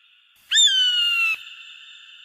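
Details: Single piercing eagle cry, used to chase off pests: a sudden harsh scream held for almost a second while gently dropping in pitch, followed by a lingering thin tone.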